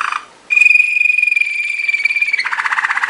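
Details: Belgian Malinois Waterslager canary, training song: a long steady whistled note lasting nearly two seconds, then a low bubbling rolling trill.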